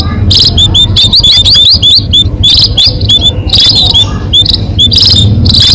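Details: Munia chatter used as a lure for catching birds: bright, high, upward-flicking peeps in clustered bursts, several callers overlapping, with a low droning backdrop.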